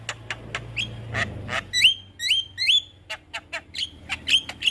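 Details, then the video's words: Javan myna master song for young mynas: scattered clicks and a coarse squawk, then a run of bright rising whistled chips with buzzy edges, repeated at short irregular intervals. "Suara Burung Jalak Kebo Masteran Untuk Pancingan JAlak Kebo Muda"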